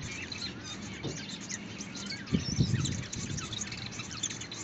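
A Bengalese finch gives a rapid, scratchy run of high, buzzy chirps. Low thumps and rustling come through in the middle.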